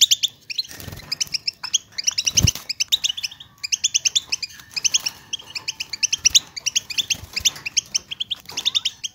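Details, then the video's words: Long bitbita chorus of European goldfinches, used to excite silent goldfinches into song: continuous streams of rapid, tinkling high notes in overlapping runs, broken by a couple of low bumps early on. "اتحداك اذا لم يغرد حسونك مع هذا التحفيز , بتبتة تقلق الطيور الصامتة"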